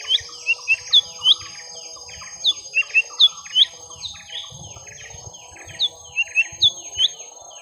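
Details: Young lesser green leafbird in a drawn-out fight against a rival, repeating short bright downward-slurred whistles in clusters of three to five, separated by brief pauses, with soft lower buzzy notes between.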